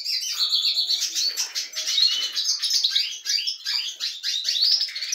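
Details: Goldfinches in a canary-breeding setup, getting lively, fill the air with dense, unbroken twittering: jangling chips, buzzy trills and quick whistled slurs overlapping throughout.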